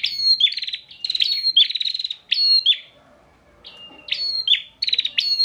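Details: Bar-winged prinia from Pemalang, Central Java, singing as a tutor for other songbirds: dense runs of buzzy trills and high whistled notes, a quiet pause midway, then renewed bursts.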